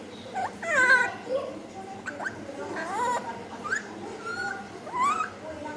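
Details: Alexandrine parakeet imitating a cat's meow: a series of wavering, harmonic meow-like calls that rise and fall, some slurring upward at the end, spaced irregularly over a steady background hiss.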